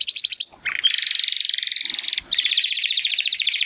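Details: Two Timbrado canary brothers, young males hatched in the second 2020 breeding, practising song after their first molt; long rapid rolling trills, a brief break, then another steady pulsed trill continuing to the end.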